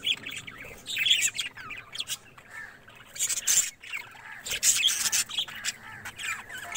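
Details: A budgerigar flock kept as a colony rather than in cages chatters with many overlapping bright squawks and warbling chirps.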